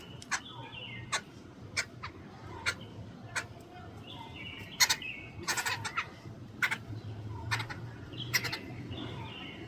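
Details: Jungle babblers chatter in harsh, squeaky bursts with short sharp clicks repeating every second or so, while low rumbling noise runs beneath.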